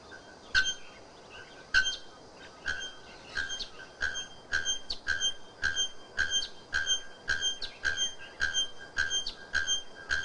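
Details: Bare-throated bellbird delivering a fast series of ringing, hammered metallic notes. Widely spaced at first, they then come steadily about twice a second, each a sharp clank with a bell-like tone.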